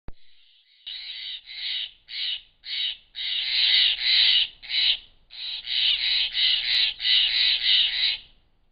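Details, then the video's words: Steller's jays in the Klamath Mountains in June 2017 give harsh, raspy shack notes, about three a second, in overlapping bursts as they mob a barred owl. "Stellars Jays sounding off at a Barred Owl"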